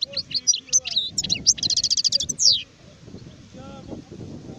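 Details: Adult European goldfinch singing in 2019: a quick run of high, tinkling twitters that runs into a fast buzzy trill, then stops after under three seconds, leaving low murmuring background noise.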